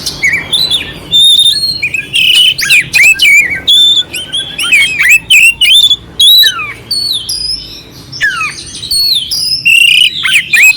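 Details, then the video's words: Long, varied song of a clear-voiced oriental magpie-robin with coarse fill notes, intended as tutoring to stir a listless bird: rapid whistled slurs, upward sweeps and sharp clicks in short bursts separated by brief gaps. "Suara Kacer Jernih isian kasar Cocok untuk masteran untuk menaikkan emosi kacer dingin"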